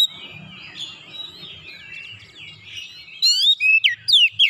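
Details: Oriental magpie-robin with fill-in song phrases, singing for about three seconds in soft, rambling, varied warbling over a low murmur. Loud, sharp whistled notes in the 'nembak' style then burst in, repeated several times.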